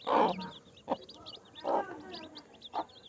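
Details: Baby chicks chirping: a busy stream of thin, high, short down-slurred cheeps runs through the whole stretch, broken by four louder, lower, rough bursts at roughly one-second intervals.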